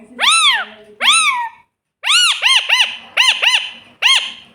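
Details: Parrot imitating a cat's meow: six arched, nasal, harmonic meow-like calls rising then falling, two drawn-out ones followed after a pause by four shorter calls in quick succession, with faint low background murmur.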